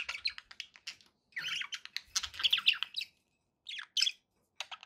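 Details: Pet budgerigars giving bursts of scratchy chirps and squawky warbles, clustered in busy runs separated by short silences, with several harsh, buzzy notes near the middle.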